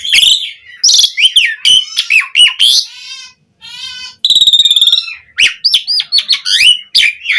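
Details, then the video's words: Asian pied starling in lively varied song for training starlings: harsh squawks and falling whistles, then a soft buzzy stretch after a brief silence, a loud rattling trill, and more chattering phrases. "Pancingan Suara Jalak Suren Gacor POWER FULL Variasi Isian Buat Masteran Burung Jalak Agar Cpt Gacor"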